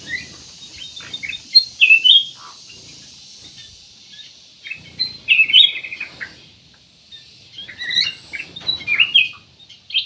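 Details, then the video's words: Black-naped oriole singing actively, used to lure other birds into song: three short clusters of sharp whistled and chirping notes about three to four seconds apart, over steady background hiss. "CUCAK EMAS \ KUTILANG EMAS GACOR, BUAT PANCINGAN 100% AMPUH"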